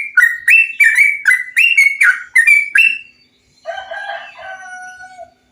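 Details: Stimulation recording of bulbul song for training birds: rapid series of rich, liquid whistled notes rising and falling, followed by a lower, drawn-out, slightly harsh warbled phrase.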